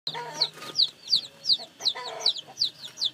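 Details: Newly hatched domestic chicks peeping: high, thin, downslurred cheeps repeated about three times a second, with lower clucking and faint murmurs beneath.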